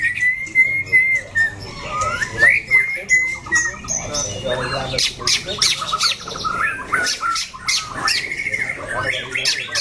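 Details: Caged white-rumped shama, prized in singing contests for its loud voice and stamina, opens with a long clear whistle, then launches into fast, varied chattering phrases and sharp clicks.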